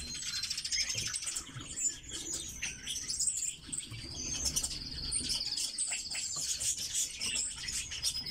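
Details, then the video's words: Captive red-billed leiothrix, known as Chinese nightingales, kept as cage birds; high, thin chirps and a fast buzzy trill among scattered twitters, with wing flutters and rustling throughout. "Китайские соловьи"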